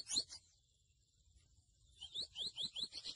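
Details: Grey seedeater (mochuelo): one sharp, high chirp, a second of quiet, then a brisk series of rising, whistled chirps repeated rapidly.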